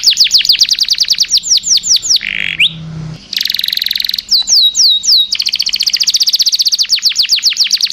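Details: Canary, long song intended for training caged birds: rapid downward whistles, a rough buzzy segment, a high tonal burst, looping slurred whistles, then sustained fast rolling trills with brief breaks.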